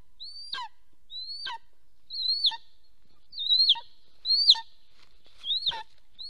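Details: Golden eagle calling from a nest camera in Soomaa National Park, Estonia, on a morning in early April 2024 as the male returns. Series of sharp, high, upslurred yelps, each ending in an abrupt falling note, given at uneven spacing over quiet surroundings.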